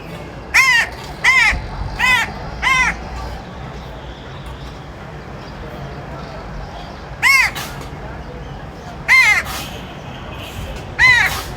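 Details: Crow giving loud, harsh caws with an arched, nasal tone, four in quick succession about every 0.7 seconds, a pause of several seconds, then three more spaced further apart, over a steady low outdoor hum.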